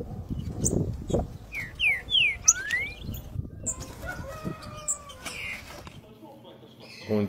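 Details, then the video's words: Green-winged saltator, 3 nota boi song style: a few bright falling whistles early on, followed by mixed chirps and clatter, with louder bursts of background noise toward the end. "TRINCA-FERRO 3 NOTA BOI VS trinca"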